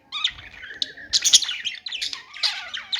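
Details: Parakeet chirping in a quick stream of squeaky, slurred notes and harsh chirps, loudest around the middle, with a brief gap near the end.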